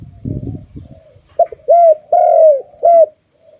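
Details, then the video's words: Pet dove with a very loud voice: low rustling, then a clipped note, two falling coos and a final short coo in quick sequence. "is a good dove and it sound very loud"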